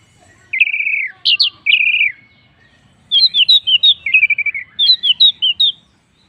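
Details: Orange-headed thrush singing to draw other birds into song: two long rich warbled phrases, then a lively string of rapid high whistled notes and trills delivered in quick succession.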